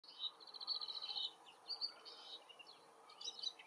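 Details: Woodchat shrike singing from far away in forest habitat: faint, scratchy warbling with a rapid rattling trill early on, then varied chattering fragments, all thin against steady background noise.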